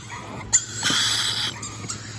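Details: Rainbow lorikeet giving a single harsh, raspy screech lasting under a second, broad and noisy, preceded and followed by a few short clicks and a steady low hum.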